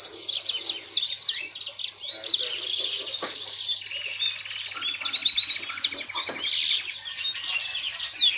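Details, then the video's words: Pet yellow-fronted canary (mozambik) in a long melodious warble: rapid high chirps, sweeping whistles and a dry buzzing trill running mid-phrase, delivered without a break over a faint background hum. "Ocehan burung mozambik"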